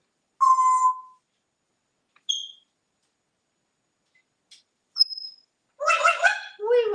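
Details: Einstein, a pet African grey parrot hatched in 1997 and living in Texas, being cued to talk, gives a short, falling, bark-like note, then two clear high whistles and a rush of talking-like chatter.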